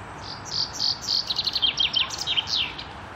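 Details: Common chaffinch singing in May 2016 at a water utility site in Korolyov, Russia; a bright descending series of rapid chirps accelerating into a trill, followed by a short flourish, with quiet background.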